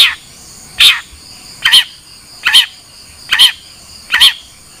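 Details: Long-tailed shrike calling: a harsh, broadband rasping note given about every second, six times in a row, with quiet pauses between.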